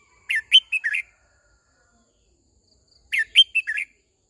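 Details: Red-whiskered bulbul, a decoy bird singing to call the flock and train young wild-caught birds, gives two short bursts of four to five rich, warbled notes about three seconds apart; clean background.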